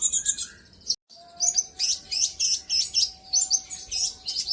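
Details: Brown-throated sunbird song used as a lure to provoke other birds into singing: rapid, very high chirps and twittering trills in quick bursts, a brief dropout near one second, with a steady faint low hum underneath.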